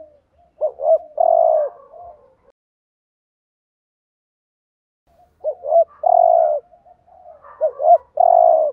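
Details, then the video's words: Spotted dove used as a decoy, cooing to provoke rival males: two low, hollow coo phrases, each a pair of short notes then a longer drawn-out coo, separated by several seconds of silence. "chim cu gáy thúc gù BÀi BẢn/ tiếng chim cu gáy kích bổi và mồi rất xiêng gáy"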